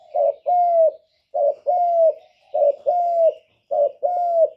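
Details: Lure spotted dove calling to attract wild doves for trapping. Paired coos repeat steadily, a brief rough note followed by a drawn-out mellow hoot, with short silent gaps between phrases.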